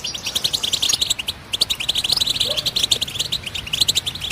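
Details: Fast, sparkling twitter from a European goldfinch: dense runs of high chirps, a brief pause near one and a half seconds, then more jingling trills.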